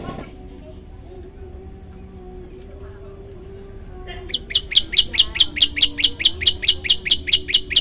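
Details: Prinia, called prenjak lumut or ciang ciang, sings a varied training song. After a quiet start, rapid evenly spaced high chirps begin midway and repeat more than twice a second until the end.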